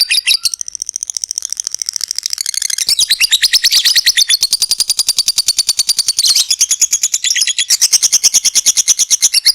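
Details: Long 'ngekek' trill of a lovebird, played to stimulate other lovebirds: a sustained, very rapid, shrill chattering of regular pulses, rising in intensity after the opening seconds and carrying on without pause.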